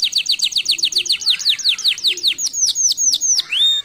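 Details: Canary in full song, pouring out a fast series of bright, downward-sweeping chirps that speed up and rise slightly, followed by a single long rising whistle near the end.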